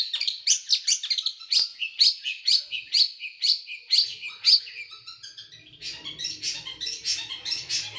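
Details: Small bird singing in a recording made to train pet birds, its song said to have sharp, tight, harsh bursts; loud high chipping notes repeat about twice a second, then give way to a softer scratchy chatter with faint hum.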